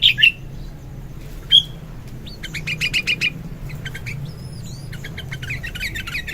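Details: Sooty-headed bulbul singing in the morning: scattered sharp whistled notes, then a run of quick chattering chirps and thin sliding whistles over a low background hum.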